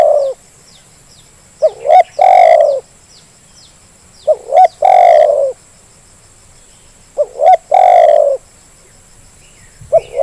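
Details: Lure recording of a zebra dove for prompting reluctant birds to call, with three full phrases roughly every three seconds, each a quick upward hook, a second note and a long rolling purred coo; soft insect sounds in the background.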